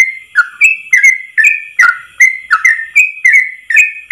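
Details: Yellow-vented bulbul long-breath 'ropel' song for training birds: clear rolling whistles, alternately high and dropping, repeated quickly about two and a half times per second.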